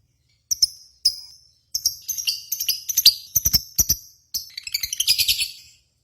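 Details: Lovebirds at a singing-contest simulation, used as a lure to make lovebirds sing: bursts of shrill, high chirps and twittering notes separated by short pauses, building into denser chatter toward the end.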